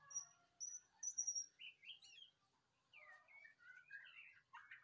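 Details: White-rumped shama singing: clear, high whistled notes, then a run of loud, varied, slurred phrases rising and falling, separated by short pauses.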